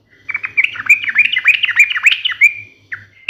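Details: Yellow-vented bulbul (trucukan) giving a sharp, fighting 'ngalas' song. A hurried string of liquid, chattering notes rises and falls, trails off into a drawn whistle, then a final short note, with a low hum behind.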